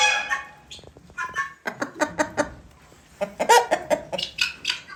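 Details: Guineafowl separated following fights with new birds, making noise: bursts of harsh, grating cackling notes in quick rhythmic series, pausing briefly near the middle before resuming loudly.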